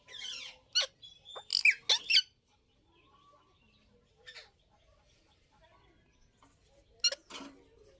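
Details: Breeding Indian ringneck parrot calls: a cluster of loud, piercing squawks in the first two seconds, a quiet pause with faint murmurs, then two more shrill squawks close together near the end.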